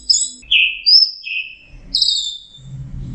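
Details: Orange-headed thrush in full song, the bird described as in a heightened singing state: clear whistled phrases, some rising and some falling, high and sweet, with short pauses between bursts and a faint low hum beneath.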